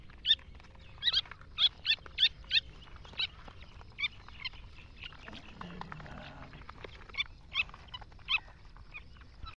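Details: Irani partridge calls: bursts of short, piercing chirps in quick runs, then sparser single notes, with a faint low rumble and a soft murmur in the background.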